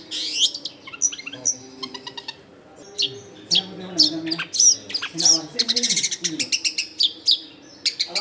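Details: Long-tailed shrike singing as a lure for wild shrikes, a rapid jumble of harsh chattering notes, buzzy trills and thin whistled sweeps, delivered in dense bursts over faint low background noise.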